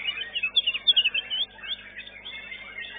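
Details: Caged white-rumped shama (murai batu) singing at a bird singing contest, class two, where it placed second: rapid, high twittering and warbled notes, loudest in the first second and a half, then softer continuous chatter, with a muffled, dull tone.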